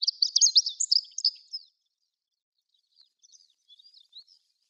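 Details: At Sarobetsu Natural Flower Garden among day lilies, a Chestnut-eared bunting gives a rapid, high-pitched burst of twittering notes over about one and a half seconds, followed by quiet, faint chirps from farther off.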